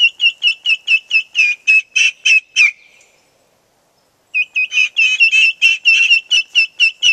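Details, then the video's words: Young domestic turkeys crying out in distress when the flock's chickens move out of sight: rapid series of high whistled peeps, a fading trill and a pause of over a second, then more insistent overlapping peeps. "Upset Poults"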